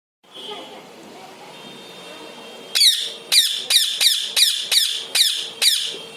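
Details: Pet parrot giving a series of sharp, high, downward-sweeping squawks about every half second after a quiet indoor start.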